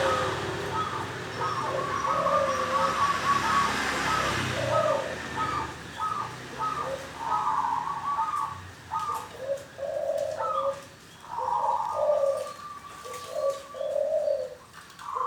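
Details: Wild-caught local zebra dove singing steadily in ngorok koar koar style: low rolling coos alternate with quick staccato bursts of higher notes in repeated phrases, with a hiss of background noise.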